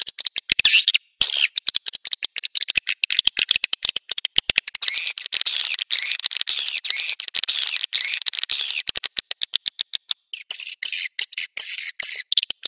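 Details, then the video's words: Naga Merah swiftlet calling used to lure swiftlets into nests: long stretch of rapid clicking interwoven with high, looping twitters and arched chirps, ending in a dense buzzy chatter. "Suara Burung Wallet Naga Merah"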